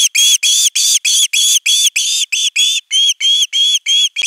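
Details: Osprey at a nest camera, 10 August 2021, calling persistently for fish until a whole fish arrives: an unbroken chain of loud, ringing, rising whistles about three per second, ending with a faint thump.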